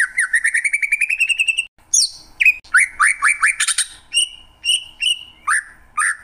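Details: Greater green leafbird song opening with a fast rising series of repeated notes, then a pause and a run of separate sweeping whistles and sharp upslurred chirps, loud and clear against silence.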